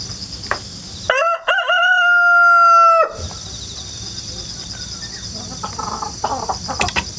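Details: Rural rooster, home-hatched, crowing continuously on 1 September 2019; a single loud crow of short stuttered notes and a long sustained tone, set within a steady high-pitched insect chorus with faint distant clucks.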